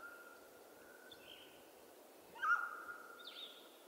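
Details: A single loud mountain quail call rings out midway, a sharp attack fading into a long level note, preceded by a faint drawn-out call; soft higher chirps from other birds sound around it.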